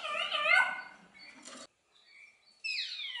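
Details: Common hill myna, a talkative bird kept at a zoo bird garden in Upie, Drôme, France, giving a harmonic, nasal, wavering call, a short buzzy burst, a pause, then a sharp descending whistle.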